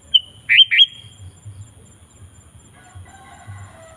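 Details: Sooty-headed bulbul (kutilang) singing lively to call in wild bulbuls: a clear high note followed by two quick rising whistles, then a lingering tone and faint notes over low background rumble.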